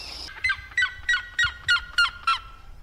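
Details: Birds calling freely in nature: a series of seven short harmonic notes with a slightly falling, nasal quality, evenly spaced about every third of a second.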